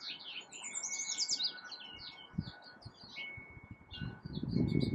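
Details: Yellow Warbler singing in spring in a California pepper tree: bright, quick runs of high, sweet notes in two bursts, over a steady thin whine and low rumbling wind.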